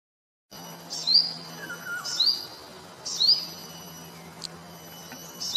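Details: Olive-backed (yellow-bellied) sunbird, singing while sipping nectar, gives high, thin, sharp notes about once a second over a faint steady background hum.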